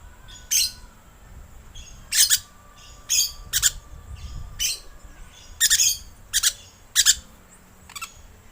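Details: Lorikeet lure call: harsh, broadband screeching squawks in short bursts, some doubled, given irregularly about every half second to two seconds over faint low room hum.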